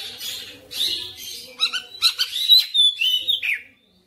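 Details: Oriental magpie-robin in persistent, chatty song: a run of quick repeated notes that builds into bright whistles and a sustained high note, then stops.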